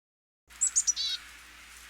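Black-capped Chickadee calling: three quick, very high chips, then one lower, buzzy, harsh 'dee' note, over faint background hiss.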